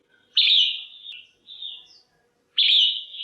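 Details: Female red-whiskered bulbul calling to stimulate males or for pairing: two loud, strong whistled notes with a drawn-out tail and a softer slurred phrase between them, quiet otherwise.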